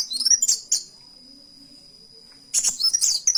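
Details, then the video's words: Short bursts of shrill chirping and twittering from a kolibri wulung copying a canary, separated by a quiet gap with a faint steady high tone. "Burung KOWUL Kolibri Wulung Gacor TEMBAKAN KENARI || CHIRPING SOUND"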